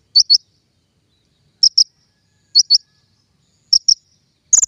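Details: King konin lure sound for bird trapping: sparse pairs of high, clipped chirps spaced about a second apart, ending in a brief rapid trill, with silence between.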